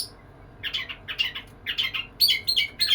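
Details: Oriental magpie-robin (kacer) courting a female: after a short quiet start, soft buzzy chattering phrases are repeated, then louder, clear high whistled notes close the passage.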